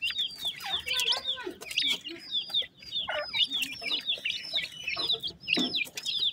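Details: Young francolins chirp continuously, piercing high peeps with downward slurs repeated in quick runs, many birds overlapping, plus a few deeper trilled notes.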